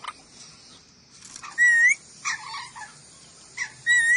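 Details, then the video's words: Ornate lorikeet of Sulawesi, tutor recording for songbirds: loud, pure, upslurred whistles repeated a few times, alternating with short harsh nasal squawks. "MASTERAN BURUNG NURI DORA SULAWESI"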